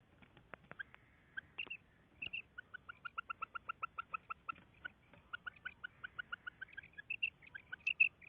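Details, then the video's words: Female quail calling: a rapid series of short, evenly spaced double notes, roughly three to four per second, steady in pitch, with a few scattered fainter chirps before and after the series in a quiet background. "Female Quail Calling karkari Maadi Ki Awaz"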